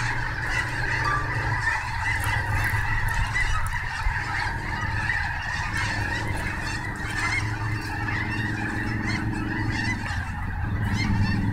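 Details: Massed snow geese at Snohomish yelp and honk continuously in a thick chorus, with a low droning rumble in the background throughout.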